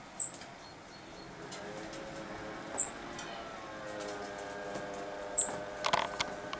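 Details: Common chaffinch, recorded 14 August 2013, gives three short, very high, sharp call notes spaced about two and a half seconds apart, over faint background hum and rustling.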